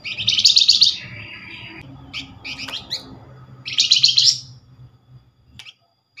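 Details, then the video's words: Flamboyan reply-bait call, said to draw a response within five seconds. Two long, grating chatter runs, separated by softer trailing notes and quick scattered chirps. "Flamboyan call nyerecet pancingan cepat paling direspon"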